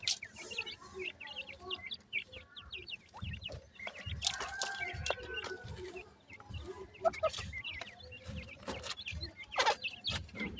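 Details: Several young grey francolins from Multan, kept for sale, peeping in dense bursts of high, slurred chirps, with brief pauses, scattered thumps and handling noise throughout.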